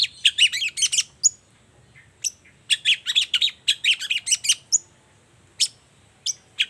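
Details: A morning Long-tailed shrike in full song, played as a lure so quiet shrikes reply. Fast chattering bursts of sharp, rasping notes, with brief whistled slurs and gaps between clusters.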